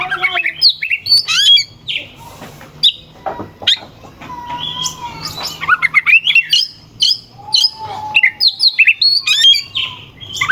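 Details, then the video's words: Oriental magpie-robin in full varied song, used to provoke rival birds into singing: rapid harsh chatter, sharp whistled slurs, and a few lower sustained whistles, with a faint low hum behind. "Suara kacer gacor NGEPLAY KONSLET pancingan kacer ampuh bikin lawan ikut EMOSI"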